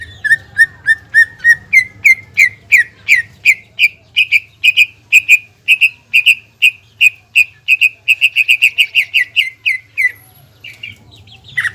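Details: Greater green leafbird, a caged bird singing hard to stir up rival birds' breeding arousal. A long run of loud, ringing whistled notes that starts measured, then speeds into a rapid, even stream before breaking off into a few scratchy notes.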